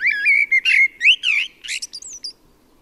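A Common Blackbird sings one mellow, fluted phrase, dipping and rising, that breaks into a squeaky, high twittering flourish at the end.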